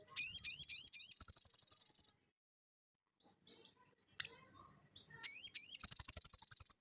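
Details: Crested jay (sogon) in energetic ngeleper song, recorded as tutor audio for cage birds: rising notes that speed into a two-second high, even rattle, a quiet gap with soft notes, then the same phrase again.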